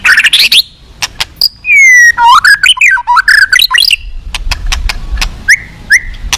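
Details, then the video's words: White-rumped shama singing at a contest, described as a fierce bird full of rich fill-ins: a falling whistle sweeps into a fast run of looping, warbled notes, followed by sharp ticks and brief rising whistles. "siapa di gantang burung ganas full isian mewah"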